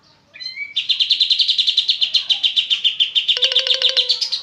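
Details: Oriental white-eye singing 'ngebren'. A few short whistles, then a dense, rapid run of high chips at a steady pitch. A sharp clicking, rattling sound overlaps near the end.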